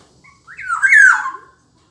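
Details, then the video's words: Single rasping, nasal squawk from a kepodang, the black-naped oriole, roughly one second long and dipping in pitch toward the end, set against near silence. "Burung Kepodang"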